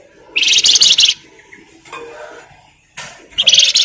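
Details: Flamboyan bird, used as a lure to provoke other birds to sing: two dense, buzzy, very high rapid trills about a second long, separated by a quieter twittering gap.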